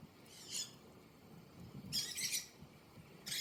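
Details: Budgies enjoying the outdoors while feeding on parsley give short bursts of high, buzzy chirping. Three bursts come roughly a second apart over a soft, steady outdoor background hiss.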